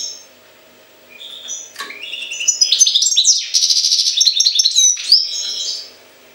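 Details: Goldfinch song tied to Jagodina: after a quiet opening, a rapid jumble of bright tinkling notes, liquid twitters and dry buzzy rattles runs for about four seconds, then fades, over a faint electrical hum.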